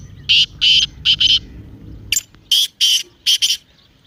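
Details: A partridge's call meant to set a kept partridge calling: a rhythmic series of harsh, scratchy paired notes, two groups in quick sequence, each note loud and buzzy, with low background murmur at first.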